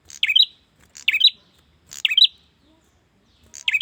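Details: Male bar-winged prinia calling a female with four quick, sharp chirps, each a bright twisting note, repeated roughly once a second in a quiet setting.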